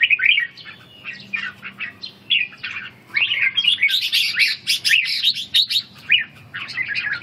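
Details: Ché-style song of a red-whiskered bulbul under training to restore its strength: choppy warbling phrases build into a dense, loud stretch of sharp chirps and whistles before tapering to scattered notes.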